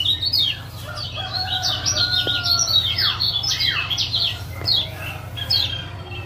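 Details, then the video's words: Lemon-bellied white-eye of the Lombok variety, male call used to stimulate a quiet caged male to sing: busy overlapping high chirps and quick downslurred notes, some rising, with a steady low hum underneath throughout. "Masteran Ampuh Ciak Jos Kecial Kuning"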